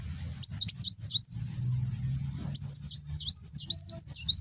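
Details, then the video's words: 'Nembak' song of a caged kolibri wulung sunbird, Gresik, East Java, on a phone: a burst of five high, sharp chirps, a brief pause with low humming, then a longer jumbled run of chips and looping whistles. "Burung Kolibri Wulung nembak"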